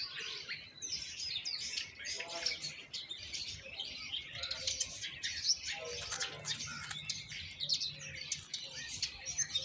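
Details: Young common mynas begging while their mother feeds them moringa: busy, scratchy high chattering and sharp squeaks in continuous overlapping waves, with light wing flutters.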